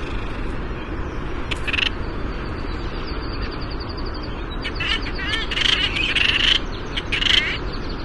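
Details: Black Noddies of the Hawaiian race (Anous minutus melanogenys), which nest in colonies on sea cliffs near the shore, give short, harsh, rattling calls in bursts with a brief thin whistle between, over a steady roar of surf or wind.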